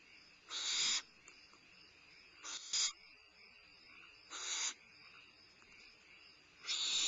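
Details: Midnight meal of a limping barn owl owlet at Starr Ranch, 22 May 2011: scattered short harsh hisses, one doubled, at uneven gaps of one to two seconds, with soft hiss in between.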